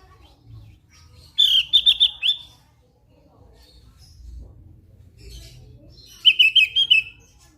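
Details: Javan grey-throated white-eye, actively singing: a fast rattle of high, buzzy repeated notes, a pause of several seconds, then a second slightly lower chattering burst, with faint low background noise.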